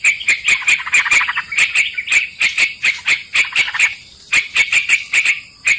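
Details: Sooty-headed bulbul song played to lure birds into a trap: rows of clear, evenly pitched chirps in quick clusters, with a pause midway before the chattering resumes.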